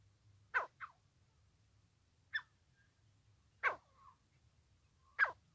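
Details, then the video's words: Francolin voice used for trapping: a few loud, harsh, abrupt notes separated by pauses of one to two seconds, plus a short softer note. "francolin trapping. teetar ka shikar. teetar voice. francolin voice"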